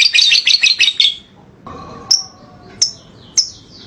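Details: Lovebird in lively ngekek form: a brief burst of rapid harsh chirps, then a pause and three separate sharp, high chips spaced well apart, with a low steady tone underneath.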